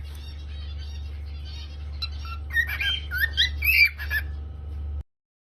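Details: Cockatiel chirping: a faint, quiet opening, then a short cluster of loud, squawky whistled chirps in the middle, ending abruptly in silence, with a low hum throughout.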